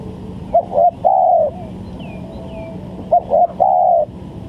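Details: Spotted dove coos meant as a trapping lure: two phrases about two and a half seconds apart, stuttered double notes leading into a long level coo, faint swooping whistles from other birds and a low hum underneath.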